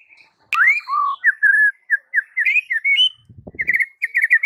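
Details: Master song of the white-rumped shama to coax silent shamas: clear whistled notes, some rising, some steady, delivered in quick succession, ending with a fast run of short chirps.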